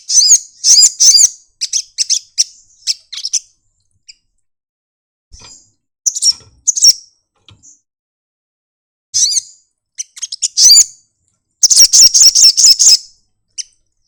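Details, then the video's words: Sunbird singing and opening its wings: bursts of high, rapid twittering notes separated by silent gaps, each burst a second or two long, with the last a fast buzzy rattle. "burung kolibri madu bunyi buka sayap nyepion"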